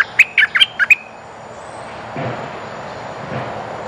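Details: Bulbul decoy calling to attract females: a short run of sharp, warbled chirps in under a second, followed by soft background noise.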